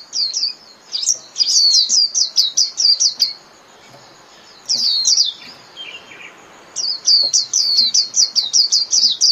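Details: Rapid high twittering phrases of a Japanese white-eye calling its flock, dense runs of quick slurred notes broken by a brief quiet gap.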